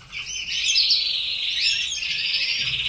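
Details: Red canary song: a dense, high, fluttering trill sustained almost without pause, bright and loud, with a faint low hum beneath.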